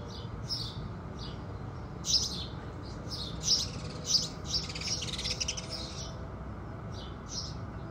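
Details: House sparrows at sunrise: scattered high chirps, then a denser chattering run in the middle, fading to sparse notes over a constant low rumble.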